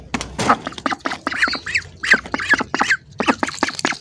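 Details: Close, hungry ducks give a fast series of nasal quacks and squawks, roughly two to three per second, uneven in spacing and loudness.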